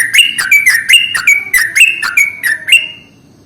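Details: Yellow-vented bulbul lure call played to bring in bulbuls. A brisk burst of gurgling, up-and-down chirps, roughly three per second, ends in a soft fade. The background is clean.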